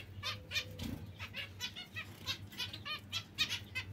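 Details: Zebra finches give short, nasal, honking calls in quick succession from several birds, with soft wing flutters and a low background hum.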